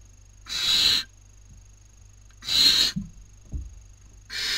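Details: Barn owl chicks at a nest in Cabañeros National Park, Spain, 2019 breeding season, with one stealing a sister's dinner; drawn-out hissing screeches about two seconds apart and a couple of soft thuds.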